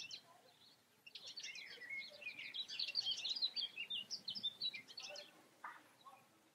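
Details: European goldfinch recorded outdoors in the Eifel. It gives a faint, rambling twittering song of quick, tinkling high notes and buzzy fragments for several seconds, over soft background noise.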